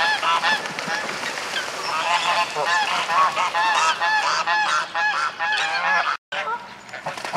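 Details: Mute swan parents at Reddish Vale Country Park driving off their 2011 cygnets before nesting again; dense chorus of hoarse honking and thin rising whistled notes from several birds, continuous with a short break near the end.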